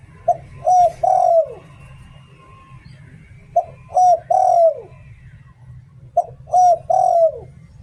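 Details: Decoy spotted dove giving 'Liu Tan' style song, three low cooing phrases spaced about three seconds apart, each a quick note followed by two longer mellow coos that slide downward at the end; faint low background rumble.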